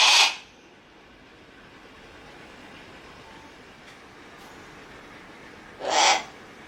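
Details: A Harris's hawk at Kakegawa Kachoen bird park, Japan, calling persistently, gives two harsh, grating screams about six seconds apart, each a short raspy burst, with faint background hiss in the gap.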